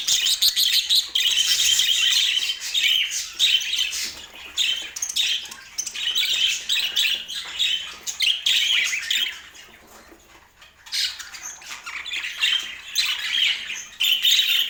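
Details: Pet budgerigars in Portland: dense, continuous high warbling chatter of chirps and squawks, overlapping and busy, dipping into a brief lull around the tenth second before resuming loudly.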